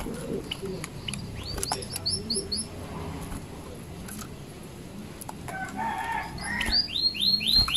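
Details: Zitting cisticola singing: two runs of sharp, high, arched 'zit' notes in quick succession, about three to four per second, separated by a quieter stretch with low background calls and ambient noise.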